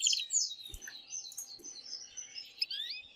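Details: Male canary singing to stimulate a female for mating, here softer and more varied, with quick twittering slurred notes and chirps at high pitch and a faint low hum behind.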